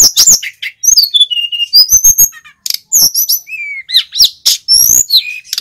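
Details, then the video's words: Continuous, varied song of a male sikatan gunung flycatcher, intended to stir other birds into singing: high chirps, falling slurred whistles and brief rattles in quick succession. "Burung SIKATAN GUNUNG Jantan FULL GACOR ‼️ Suara pancingan Tledekan BAKAU Jongkangan SRDC agar EMOSI"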